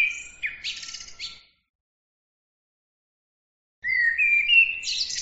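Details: Two bursts of high twittering bird song, the first ending in buzzy rattled notes, then about two seconds of silence before a rising run of whistled chirps begins.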